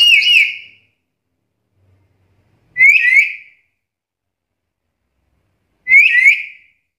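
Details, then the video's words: Vocal black-capped lory able to talk and mimic varied sounds, producing three clear paired whistles, each two quick upslurred notes, spaced roughly three seconds apart, with near silence between. "NURI KEPALA HITAM GACOR BISA NGOMONG ISIAN SUARA BERVARIASI"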